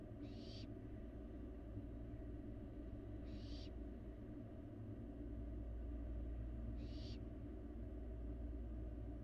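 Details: Barn owl fledgling eating inside an empty nest box on a live camera in Florida. Three short, harsh, hissing screech bursts, each about half a second long, are spaced a few seconds apart over a steady low rumble.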